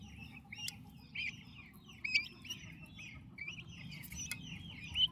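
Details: Active turkey chicks with their mother chirp in high, wavering peeps, spaced unevenly with sharp clicks among them, over a continuous low hum.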